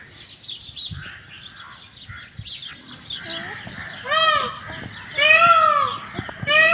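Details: Indian peafowl calling three times: loud, drawn, arching nasal cries with rich overtones, spaced about a second apart, after a stretch of softer chirping from other birds.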